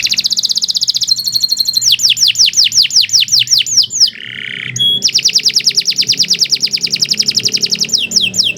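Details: Canary singing a long, energetic phrase: rapid trilled notes, a held whistle, a chain of falling whistles, a short harsher low note, then a long, very fast rattling trill.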